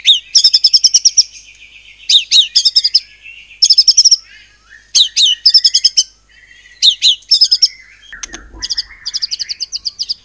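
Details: Caged white-rumped shama singing a rapid-fire cililin-mimicking song meant to provoke other birds to sing: bursts of fast, sharp repeated high notes, about eight per burst, broken by swooping downslurred whistles and short low chattering bridges.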